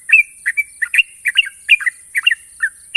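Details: Champion sooty-headed bulbul delivering its long, sharp trilling song: quick bubbly chirps in clusters, some with a thin sustained whistle tail, over a steady high-pitched background hiss.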